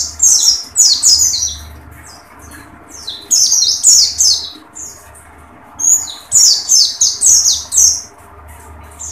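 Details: Dakun pleci, an Oriental white-eye, in its tembakan style: three clusters of piercing, rapid chirps, each roughly a second and a half, separated by quiet pauses of about a second.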